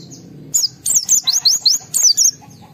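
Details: White-eye singing excitedly, a lure song meant to make other white-eyes answer: rapid series of sharp, very high zigzag whistles in two quick bursts, each note sliding down, over faint low background hum.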